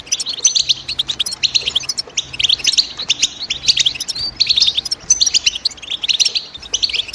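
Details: European goldfinch chirping in the morning; dense, fast twittering of tinkling, buzzy high notes in continuous overlapping bursts, several birds seemingly together, with a faint low hum beneath.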